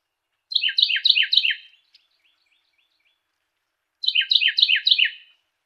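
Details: Two bright, fast-repeated song phrases from a Carolina wren, each burst holding around five rolling notes, with a faint softer echo-like trill after the first; clean, quiet background.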